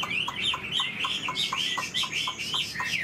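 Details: Chinese hwamei kept as a tame caged bird repeats a bright, bubbling whistled phrase about twice a second, with soft low notes under each one.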